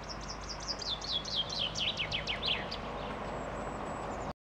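A common chaffinch sings a bright, rattling cascade of notes that speeds up and drops in pitch over about two and a half seconds, over a steady background hiss.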